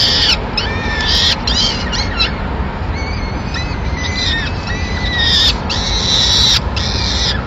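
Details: Peregrine falcons at a nest in Madrid on 26 April 2016, as the male brings the first food of the day, a small bird, and feeds all the chicks. Arched, harmonic calls come repeatedly, about one a second, over a steady low rumble.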